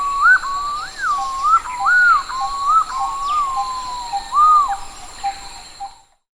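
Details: In Sri Lanka, a yellow-footed green pigeon gives a flowing series of mellow, modulated whistles, rising, falling and looping through about six seconds, with a faint steady hum behind.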